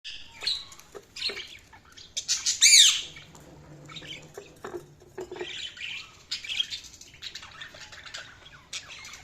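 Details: Budgerigars chirping: a busy mix of high warbling chatter and short scratchy notes, with a louder burst of squawks near the middle and a faint low hum underneath.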